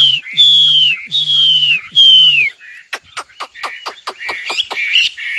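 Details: Nightingale song opening with three long, pure whistles that each slide downward, followed by a rapid series of sharp, clicking notes and a warbled ending.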